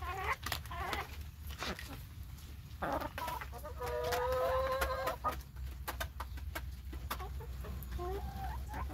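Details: Chickens being fed corn on a rainy day give a drawn-out, tonal squawk in the middle, framed by short clucks and soft chirps, while steady tapping and clicking, probably rain or pecking, runs throughout over a low rumble.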